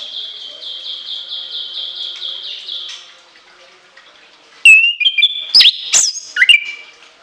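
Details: Orange-headed thrush song in a shrill shooting style packed with long fills. A soft rapid trill of even repeated notes gives way to loud piercing whistled slides and abrupt high strokes.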